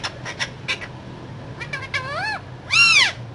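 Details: Talking parrot making quick clicking notes, then wavering harmonic calls ending in one loud arched squawk.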